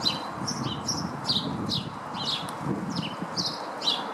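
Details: Lesser redpoll feeding at a Nyjer feeder in a Howdon garden on 3 May 2016. Short, sharp, chirpy notes of varying pitch come about twice a second over a low, rumbling background hum.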